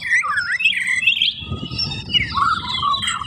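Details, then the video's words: White-rumped shama singing loudly: rich varied whistled phrases sliding up and down, fluid warbles and high clear notes, with low rumbling background noise in the middle. "Burung Murai Batu Gacor, Tembakan Keras, Suara Rapet"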